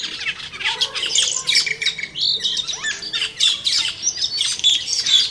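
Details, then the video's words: A busy, noisy chorus of cucak keling in the wild, with loud grating squawks and short chirps overlapping continuously in irregular pulses throughout. "Suara Burung Cucak Keling di Alam Liar"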